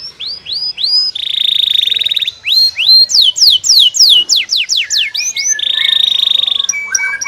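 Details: Canary in full song, said to stir the canary next door: rising whistles, a fast buzzy rattling trill, a series of clear downslurred notes, then another buzzing trill and closing chirps.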